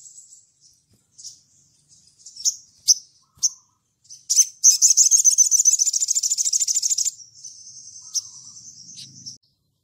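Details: Sunbird in lively ngleper style, calling to a rival: a few sharp high chips, then a long rapid buzzy trill of evenly repeated notes for about two and a half seconds, followed by a softer, steadier rattling twitter.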